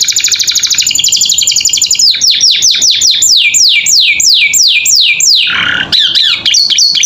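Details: Canary singing energetic training song for captive birds: a fast buzzy trill, then a rapid run of repeated down-slurred whistled notes about five per second, ending in a harsh burst and short chirps.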